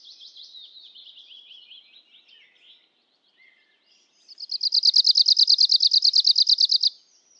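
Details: Arctic warbler (Phylloscopus borealis) song: a fast, dry, even-pitched trill of about thirty buzzy notes lasting nearly three seconds, preceded by a softer, varied high twittering that slides gently downward.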